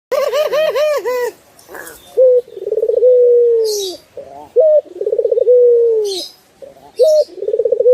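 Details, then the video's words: Turtle dove song used as a master recording for training birds: a pulsed, throbbing trill, then a long, smooth coo that slowly falls, ending in a short rising note. The pattern repeats several times, with brief bursts of hiss between phrases. "Masteran Burung puter"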